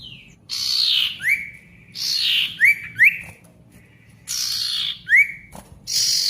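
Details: Male ashy tailorbird in loud, busy song used to coax quiet tailorbirds back into voice: single clear rising-then-falling whistles spaced between long harsh hissing bursts.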